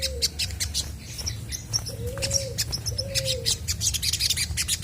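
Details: Chestnut-backed scimitar babbler in lively song meant to provoke other birds into answering: three low, hollow, arched whistles spaced about a second apart, with plenty of high twittering and chirping from other birds around it.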